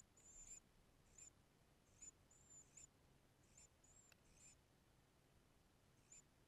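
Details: Palm warbler filmed at its nest gives very high, thin squeaky notes, single or paired, at uneven intervals of about a second, over a faint steady hiss.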